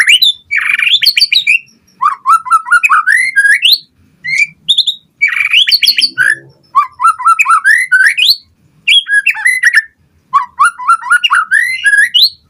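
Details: White-rumped shama in full song, used as a lure to make other birds answer: loud phrases of rising whistles and rapid fluty trills repeated in bursts about every two seconds, with sharp high notes between phrases.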